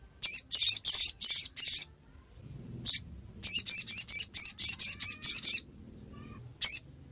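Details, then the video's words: Crimson sunbird giving a ngiriwek-style song of piercing high chips, a quick run of five, a lone note, then a longer fast series of about ten, ending with one final chip. "Sogon | Kicauan ngiriwek"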